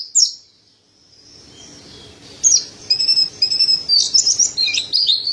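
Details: Mountain white-eye (pleci dada putih) in a tutor song for training birds. A single high chirp and a quiet stretch are followed by a run of thin whistles and bright twittering notes that build toward the end.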